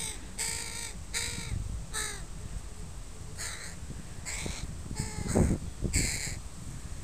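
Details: Park crows, parents with their young, on a Sunday: a run of about eight rasping caws, some with clear stepped harmonics, roughly every half second, with low thumping and rustling sounds underneath.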